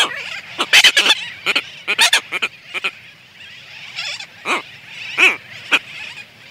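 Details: Close-up of a red-tailed tropicbird pair on their nest in a sooty tern colony exchanging greeting calls: loud, harsh, grating notes in short clustered bursts, then a few spaced drawn-out cries.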